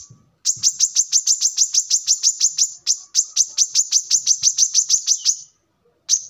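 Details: Brown-throated sunbird, used as a lure or song model for training birds, gives a long steady series of about twenty-five sharp, high, identical notes at roughly four per second, then stops briefly before one more note.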